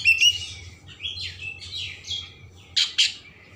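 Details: Oriental magpie-robin singing to rouse emotion and tail opening, a short run of slurred whistled warbles followed by two sharp harsh notes, over a noticeable low background hum.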